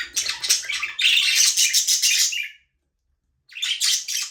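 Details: Budgerigars, Australian parrots, free flying and playing in a small aviary, giving dense, scratchy chirping and warbling that runs almost continuously, breaks for under a second, then resumes; no music.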